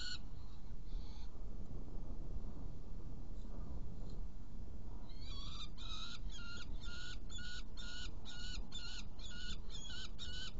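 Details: Saker falcon in Hungary on 16 June 2018 at about 18:57, at a nest during prey delivery and feeding of two young, giving a rapid series of harsh, grating calls, about two or three a second, over low wind rumble.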